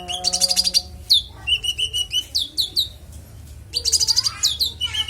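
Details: Konin singing clear, varied material used as master audio for songbirds: fast high buzzy trills alternating with sharp downslurred chirps and short whistled notes, almost continuous throughout.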